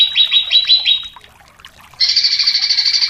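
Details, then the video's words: Greater green leafbird song for provoking contest birds: quick falling notes in a run, a short pause, then a sustained high buzzy trilled phrase. "Cucak Cungkok Istimewa ~ Full Isian Variasi ~ Pancingan Cucak Cungkok Emosi ~ Masteran Burung Lomba"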